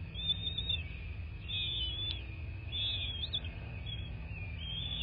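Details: Bald eagles at their nest in southwest Florida, captured by nest camera on the morning of 26 February 2024: a few high, squeaky whistled notes in short bursts with pauses between, above a constant low rumble.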